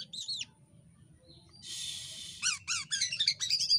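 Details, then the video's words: Jalak Kapas myna in full song as a training tutor bird: a short whistled slur, a pause, then a harsh buzzy rasp followed by repeated quick down-slurred whistles and chatter. "Jalak Kapas Gacor l Burung Masteran Paling Aneh Bunyinya"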